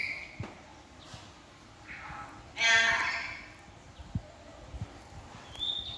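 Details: A hungry cockatoo at Taman Safari Indonesia Prigen begging: short, harsh, nasal squawks, with one loud raspy burst midway and a thin high note at the end, over a few soft thumps.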